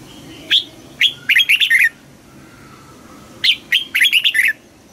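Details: Red-whiskered bulbul; contest song; competitive singing against rival males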